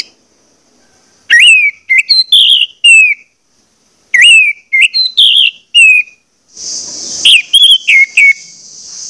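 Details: Orange-headed thrush song played as a lure to get birds singing: bursts of three to five clear whistled notes, some rising and others falling, separated by silent gaps, ending over a steady high hiss.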